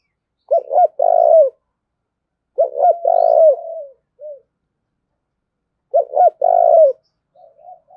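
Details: Spotted dove kept as a decoy bird, cooing to urge a rival into fighting: low, mellow coo phrases, each a short stuttered note and then a long throaty coo, repeated about every two to three seconds, with a brief softer note between.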